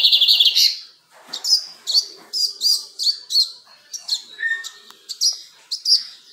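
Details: Lined seedeater (bigodinho encapado), a bred cage bird, opening with a bright warbled phrase, then a steady series of short sharp high chips repeated roughly every half second, with faint room noise.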